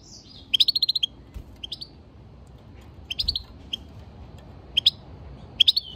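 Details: Singing European goldfinch delivering several rapid bursts of sharp, tinkling chirps, the first a run of about eight notes, the others shorter groups of two to four, with brief downslurred whistles between.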